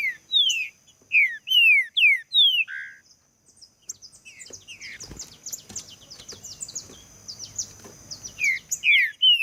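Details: Song of the green-winged saltator, used to get other saltators singing: a run of strong, downward-slurred whistles, then a busier stretch of faint high notes and clicks, before clear sliding whistles return at the end.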